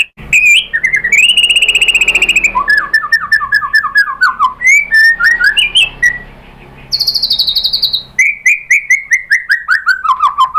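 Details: Lure song of a white-rumped shama (murai batu), Indonesia, used to make birds reply and sing: a long steady whistle, rapid descending trills, a bright high note, then a falling cascade of quick whistled notes.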